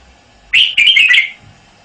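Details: Red-whiskered bulbul, a caged male, singing one brief, loud, liquid warbled phrase of quick slurred notes.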